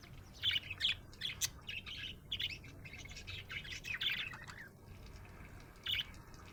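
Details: Happy budgerigar chirping, a pet bird giving clusters of bright, high, quick chirps and short warbling notes, separated by brief pauses, over a soft low hum.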